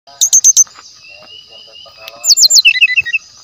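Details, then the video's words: Brown-chested jungle flycatcher singing as a lure, its song said to be packed with natural sounds: rapid high chip bursts, then quick descending whistled notes and a run of short falling phrases over a steady high insect-like whine. "SRDC GACOR DENGAN SUARA ASLI ALAM, PANCINGAN SRDC MASTERAN"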